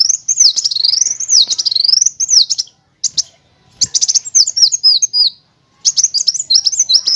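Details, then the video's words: Kolibri wulung sunbird song used as a tutor for other birds, showing nyrecet, nembak and ngerol styles: continuous high, undulating whistled trills, broken by short silences and bursts of sharp ticking. "MASTERAN KOLIBRI WULUNG, NYRECEKT NEMBAK, NGEROL BURUNG LANGSUNG GACOR"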